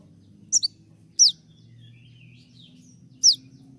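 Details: Sharp 'tembakan' shot notes from a moulting konin that keeps singing: three loud, high, steeply falling chirps spaced irregularly, with faint thin whistles between them.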